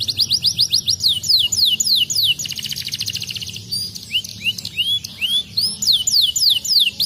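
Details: Canary singing, used to prompt lazy canaries into song; quick repeated rising whistled notes, a buzzy rolled trill in the middle, then more sharp sweeping chirps.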